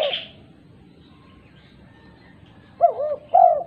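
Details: A female spotted dove calling to other doves: a brief coo with a higher burst at the start, a long silence, then a double coo and a long emphatic coo.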